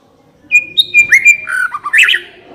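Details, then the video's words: White-rumped shama song serving as a lure to get a shama singing: a sustained pure whistle, then bending, descending warbled notes and a closing flurry of high, rapid twitters. "Pancingan suara burung murai batu agar cepat bunyi dan ngeplong"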